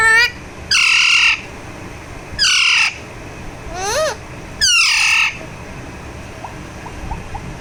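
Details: Alexandrine parakeet, kept as a talking pet, squawks loudly while being massaged. Four harsh, buzzy screeches come about every one and a half seconds, with one softer arched note between them and faint chirps at the end.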